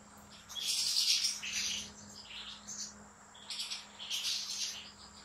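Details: European goldfinch singing inside a big breeder's aviary, two bursts of bright, jangling buzzy twitters and high chirps separated by a brief pause, with a low electrical hum throughout.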